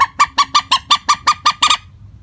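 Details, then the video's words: Common moorhen calling without variation in tone: a quick run of about ten harsh, nasal 'kek' notes at an even pace, about six per second, with no change in pitch. "Suara panggilan burung mandar batu.tanpa pariasi nada panggilan."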